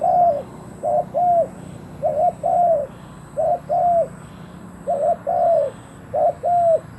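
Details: Spotted dove used as a decoy to draw in wild doves. Steady paired coos, a clipped note followed by a longer sloping one, are repeated about once a second against low background hiss.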